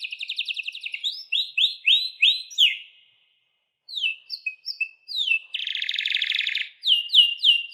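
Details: Song of a canary, played to encourage pet birds to sing: fast trill, then repeated falling whistled notes, a short silence, mixed chirps, a dense buzzy rattle for over a second, and more repeated whistles.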